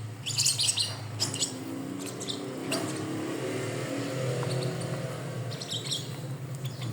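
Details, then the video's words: A pet bird gives bursts of high, scratchy chirps, clustered early and again near the end, over a steady low hum like an engine or appliance. "A Pet Bird’s Tale From Chirps to Tricks"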